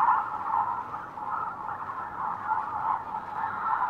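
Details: A dense, unbroken murmur of many lesser flamingos, adult breeding males assembling for a courtship dance, calling at once in a steady mid-pitched babble of overlapping nasal notes with no pauses.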